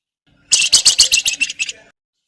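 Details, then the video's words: Lively Javan fulvetta giving crecetan chatter, used to prompt other birds to sing: one run of about ten fast, shrill, slightly rasping notes lasting under a second and a half, gradually weakening. "BURUNG FLAMBOYAN GACOR CRECETAN BUAT PANCINGAN"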